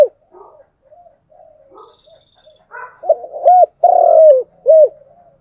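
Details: Spotted dove performing chiêu and thúc cooing: soft broken murmuring notes build into loud, mellow, arched coos, including one long falling coo, with faint extra clicks in the background.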